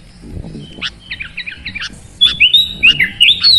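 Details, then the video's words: Sooty-headed bulbul with soft descending chirps over faint low noise, then a clear loud sequence of slurred whistled notes; a therapy recording to make a reluctant bird sing. "Terapi Burung Kutilang Malas Bunyi Jadi Gacor Bermental Petarung"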